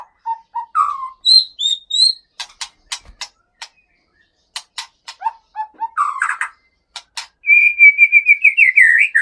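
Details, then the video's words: Aceh white-rumped shama kept in a breeding cage, male stock caught near Bahorok, Gunung Leuser, North Sumatra: varied short whistles and high sweeps, bursts of sharp ticking clicks, then a fast run of rising and falling whistled notes at the end. "Murai Batu Aceh Gunung Leuser"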